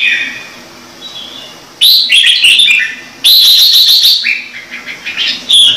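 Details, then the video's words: Red-whiskered bulbul, a kept bird of the "Trung Mang" singing style, giving loud bright whistled phrases in two bursts, rich warbled notes sliding between high and mid pitch, with softer background warbling between bursts. "CHÀO MÀO | Trung Mang hót giọng chuẩn cực hay"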